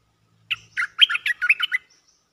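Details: Cream-vented bulbul calling for a mate, a lively looping song: one sharp opening note, then a fast run of about eight bubbly, warbled notes between mid and high pitch, over a quiet low hum.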